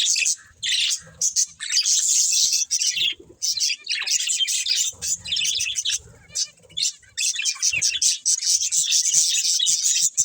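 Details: Budgies chatter in busy bursts of high scratchy twittering and chirps, broken by short gaps of near silence.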